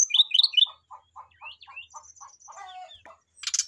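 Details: Brown-chested jungle flycatcher singing vigorously in reply to a rival, its song full of filler phrases: three bright rising whistles, a run of evenly spaced soft low notes, a thin high trill and a closing burst of rough noise.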